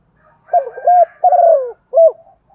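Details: Female spotted dove cooing, a call used to prompt males to coo in reply; a short series of soft, low, hollow coos, the longest note gently falling, ending with one brief clipped coo in a quiet setting.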